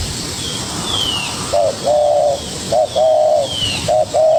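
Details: Spotted dove, a young bird answering a decoy with energy. After a quiet start, it gives paired low coos: a clipped first note, then a drawn-out hooting note. High descending whistles from other birds come early, with constant background hiss.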